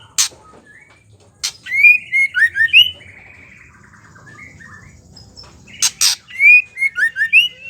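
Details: Female white-rumped shama's ketrekan, played to make males sing: loud sharp clicks, then a quick run of rising chirped notes. After a quiet stretch comes another click and a second burst of chirps.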